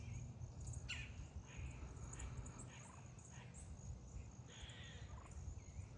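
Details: Wild turkeys feeding in a flock near a person give a low, rolling contentment purr with a sharp pop near the start and soft, scattered chirps above, over a steady low rumble.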